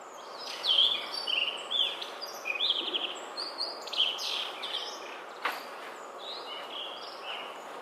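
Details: Blue rock thrush in song: a run of varied, melodious whistled phrases, some rising and some falling, sung in quick succession and then fading into quieter notes, with a soft ambient hiss.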